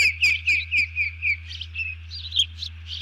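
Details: Bald eagle giving an alert call after seizing a fish as another eagle hits the deck, 31 July 2020: bright slurred high piping notes in quick series, then a softer chattering run, with a constant low electrical hum.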